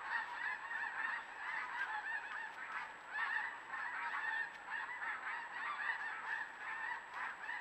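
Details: Wild geese recorded on a trail camera, a steady chorus of many overlapping nasal honks throughout, with a faint constant high-pitched electronic whine in the background.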